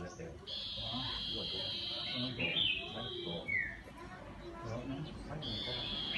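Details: Iora whistling to excite wild birds into song: long steady high whistles, one dropping at its end into a short downslurred note, then another long held whistle after a pause, over soft low background chatter.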